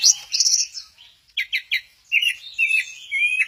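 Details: At Kesamben, an orange-headed thrush sways as it sings ('goyang inul'). High whistled notes lead into three quick, evenly spaced rasping chirps, then a run of warbled, rolling phrases.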